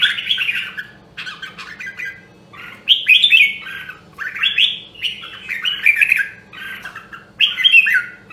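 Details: Nam Đông, Huế Red-whiskered bulbul in song training aimed at competitive singing. Repeated fluty, chattering phrases about a second long come in quick succession over a quiet background hum.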